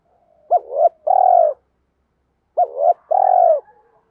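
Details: Spotted dove coos for training cage birds to call: two identical phrases about two seconds apart, each a quick hiccuping double note followed by a longer, slightly buzzy descending coo.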